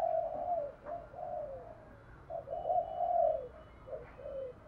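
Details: Spotted dove coo in thổ voice style, meant to prompt other doves to call: a continuous chain of mellow, rounded coos, rising and falling gently over a hissing background with low rumble.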